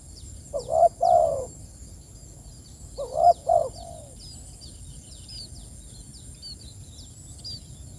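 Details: Spotted dove calling its companions: two phrases of deep, doubled coos, each ending in a softer drawn-out note. Thin high chirps from another bird continue in the background.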